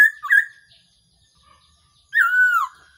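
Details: Black-throated laughingthrush, a decoy call for trapping: a brief two-note whistled phrase, a long silence, then one loud, sustained whistle falling at its end.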